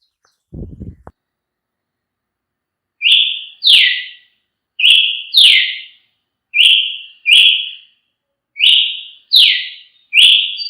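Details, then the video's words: Brazilian tanager singing clear whistled notes in pairs, a level note followed by a falling one, after a brief low clatter at the start. "canto de Tiê sangue"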